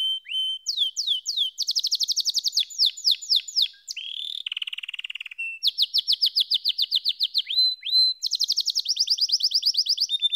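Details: Canary in full song, cycling through high rapid trills, downslurred whistles and a lower buzzy roll, each phrase a run of fast repeated syllables.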